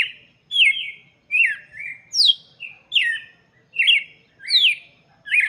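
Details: Song of a red-cowled cardinal intended for chicks, a steady run of bright whistled notes dropping in pitch into buzzy tails, with about eight phrases in quick succession.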